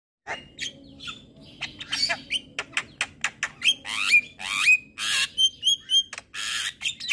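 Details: Javan myna (jalak kebo) singing in the morning: harsh broadband squawks and rasping notes in uneven bursts, mixed with short whistled slurs and rising clear notes near the end.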